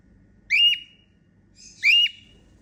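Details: A female cockatiel giving happy sounds, two clear rising whistles, each sweeping up and then holding steady briefly, spaced a little over a second apart against a quiet background.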